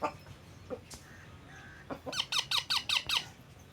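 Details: Pet parrot indoors giving a quick run of harsh, chevron-shaped squawks, about six per second for a second, after scattered faint clicks and a brief tone; quiet room background.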